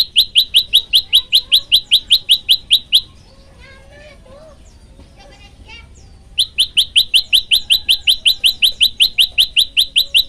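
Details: Masteran of an olive-backed tailorbird: a fast run of sharp rising chirps, then a few seconds of soft, twittering, jumbled notes, then the rapid chirping series resumes, loud and regular.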